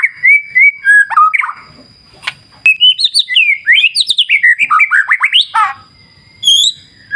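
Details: White-rumped shama song used as a lure to get other birds singing: loud varied whistled phrases rising and falling rapidly, with a steady faint high tone running behind and short pauses.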